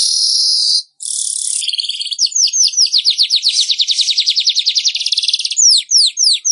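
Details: Manyar (weaver) in a master recording for training captive birds: buzzy hissing notes, then a fast run of descending chirps around twenty per second, ending in sharp downslurred whistles.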